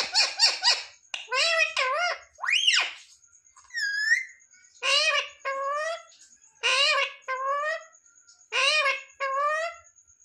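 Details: Indoor talking parrot that mimics "mummy papa": repeated nasal, high-pitched word-like phrases, each with a downward glide, with one rising whistle, spaced every second or two over a faint steady high electronic tone.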